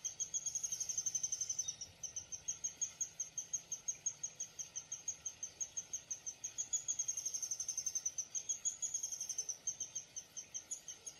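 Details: A long run of high chip notes from a Downy woodpecker, steady and rhythmic, with two louder, quicker bursts near the start and again later; faint constant hiss.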